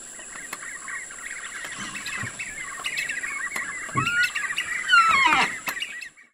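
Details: A family group of Black-fronted Nunbirds in trees along the Rio São Lourenço gives dense, overlapping chatter of quick mid-pitched notes, with a few slurred whistles near the end, over a steady high insect drone.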